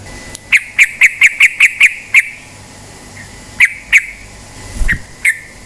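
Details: Yellow-vented bulbul recording meant to prompt birds into song: a quick string of seven sharp, chirpy notes at steady pitch, then a gap followed by a few more spaced chirps and a soft thump.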